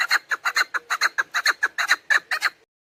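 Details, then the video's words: Female chukar partridge calling, a sound used to lure partridges for hunting: about fourteen sharp, throaty clucks in quick succession over two and a half seconds, then silence. "Dişi keklik sesi, صدای کبک ماده برای شکار"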